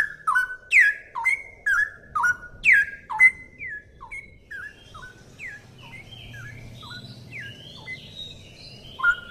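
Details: Cucak rowo, the straw-headed bulbul, singing: bold falling whistled phrases for the first few seconds, then a softer stretch of higher rising and falling notes, ending with one more loud whistle; light low hum underneath.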